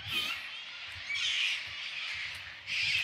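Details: A big flock of cockatoos gives harsh, grating screeches in three bursts about a second apart, loud and raspy, with a faint low rumble beneath, near a creek in mountain ash and tree fern forest, Dandenong Ranges National Park, Victoria, Australia.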